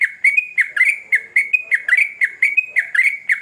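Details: Yellow-vented bulbul giving its vigorous lure song: harsh-edged bubbly chatter, notes tumbling roughly twice a second, some rising, others dropping sharply.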